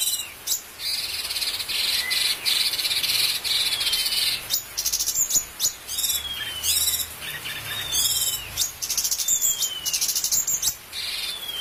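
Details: Bulbul master song meant for training birds that have gone off form: dense high buzzy trills alternating with short downward-curving whistles, delivered in separate phrases with brief gaps.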